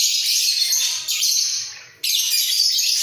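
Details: Budgerigars, a pair kept in a breeding cage and nodding as they sing, give dense high chattering warble in three bursts, the middle one fading before a sudden loud restart.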